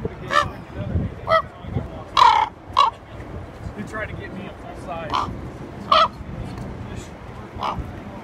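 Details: Common raven in Juneau, Alaska, on June 2, 2018: harsh, hoarse croaks scattered irregularly over eight seconds, about six loud ones, mixed with softer wavering tonal notes and a low background rumble.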